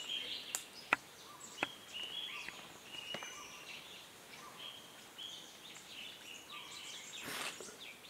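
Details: A white-gorgeted flycatcher (Ficedula monileger) at Doi Lang National Park, Thailand, on 11 December 2014 gives thin, high whistled notes, brief and scattered in loose phrases, over sharp clicks and a soft forest hiss.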